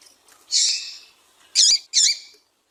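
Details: Female double-collared seedeater (Sporophila caerulescens) call, used to excite and attract males: a high, hoarse buzzy note, then two short, sharp 'tui' calls about half a second apart.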